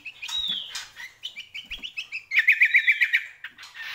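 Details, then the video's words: Greater green leafbird, or cucak kombo, pouring out a lively song: a falling whistled slur, then rapid trilled rattling notes repeated several times a second, growing louder toward the end. "CUCAK KOMBO GACOR"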